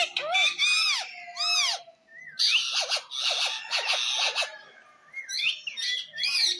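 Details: Ring-necked parakeet, a green pet parrot, talking: rapid mimicked speech-like syllables with arching, wavering tones, interspersed with brief shrill whistles and squawky chatter in short bursts.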